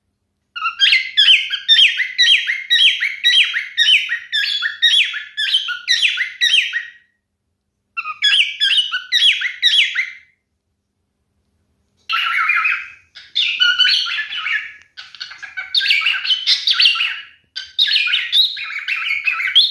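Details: A male pet pied cockatiel sings in bright, rapid phrases of repeated whistled chirps and warbles.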